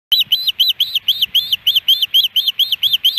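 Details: Osprey at a nest-cam site in Hellgate Canyon, Missoula, Montana, on 13 July 2018, a day of three fish deliveries: high, piercing whistled chirps, each arched and sharp, repeated steadily about twice a second over faint low rumble.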